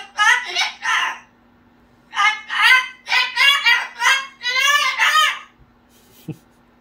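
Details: Cockatoo imitating baby talk: bursts of harmonic, babbling syllables, first a quick group of three, then after a pause a longer run of six wavering, slightly rising and falling sounds, indoors, with a faint knock near the end.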